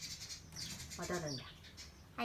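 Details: Hand-tame pet common hill myna, loose in its bird room on a November 18 morning, chirps high and thin, then gives a short, voice-like, wordy phrase with a low, buzzy tone. A louder burst of sound comes at the end.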